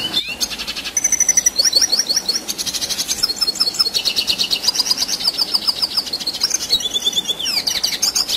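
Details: Non-stop rolling Red siskin song, long and energetic, meant as tutor material for contest songbirds: a high, dense stream of fast twitters, buzzy trills and sharp descending chirps, changing phrase every second or so.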